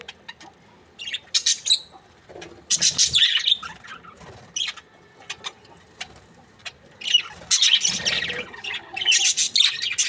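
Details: A breeding pair of budgerigars, described as happy, giving scattered scratchy chirps and squawks separated by quiet gaps, followed by longer busy chatter near the end.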